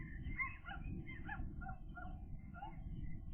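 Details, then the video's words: Thirteen-day-old gull chicks, a pair that has learned to reach the food tray, call with quick clustered squeaky notes over heavy low rumbling noise. "seagull chicks, day 13 update"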